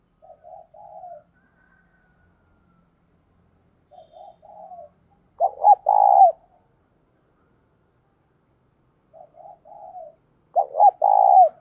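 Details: Spotted dove decoy calling to provoke wild doves, repeating a pattern three times: soft trilled coos, then a louder burst of clipped notes and a long falling coo, with pauses of several seconds between phrases.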